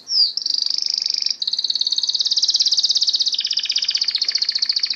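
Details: Canary singing a long, fast trill of rapidly repeated high notes, steady in pitch and rolling without a break for about five seconds. The trill shifts in tone partway through, and there is no other sound.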